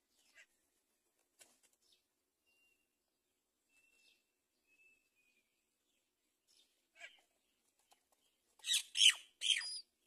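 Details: Great myna feeding a chick on a palm tree; mostly quiet, then a burst of three loud, harsh, broadband screechy notes in the final two seconds, preceded by a few faint clicks and thin whistles.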